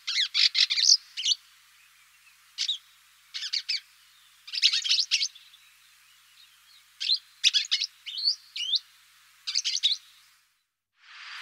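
Eurasian crag martin giving short, dry, high twittering bursts, clustered in quick runs of chirps every second or two, with quiet gaps between.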